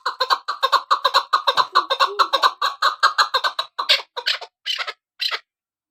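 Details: Chukar partridge, a female hunting-decoy bird, calling in a fast, steady run of harsh clucking notes for about four seconds, then a few higher, spaced chucks that trail off into silence.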